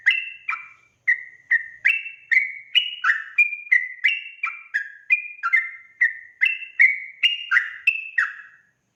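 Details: Sooty-headed bulbul rapid song used as a lure so other bulbuls respond immediately: quick run of bright, slurred whistles stepping up and down in pitch, roughly two or three per second, with a brief gap near the start.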